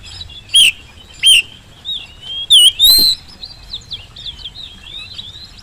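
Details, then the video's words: Oriental magpie-robin song as a lure to get birds singing: several loud, separated whistled notes with quick upward flicks, followed by a quieter thin twittering warble. "kacer gacor pancingan kacer malas bunyi saat di rumah maupun di lapangan jadi cepat nyaut"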